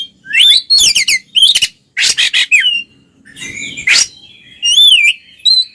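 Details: Oriental magpie-robin, twin birds in ngeplong song used to provoke silent ones; rapid repeated chattering notes, harsh broadband bursts and clear wavering whistles, with a soft low background rumble.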